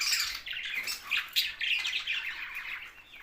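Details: Budgies, the Australian parrot, chattering together: a steady mix of high, warbling squeaks and scratchy chirps from several birds, with no pauses.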